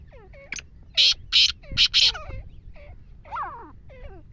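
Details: Black francolin calling: four loud, harsh, grating notes in a quick burst, with softer bird chirps and twittering before and after.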